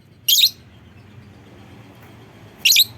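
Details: Lovebird call used as a lure to prompt other lovebirds to join in and sing (ngekek): two harsh, shrill, high chirps about two seconds apart over a quiet low hum.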